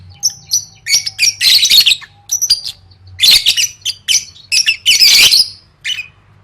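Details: Caged lovebird chattering in the lively 'gacor' style used for competition training: dense runs of scratchy, high squeaks and twittering bursts, clustered in uneven groups with a low background hum.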